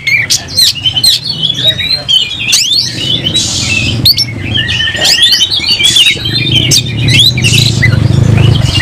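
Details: Oriental magpie-robin with fanned tail, singing in a fighting mood: sharp whistles and chattering notes over strong low rumbling background noise, which grows louder toward the end.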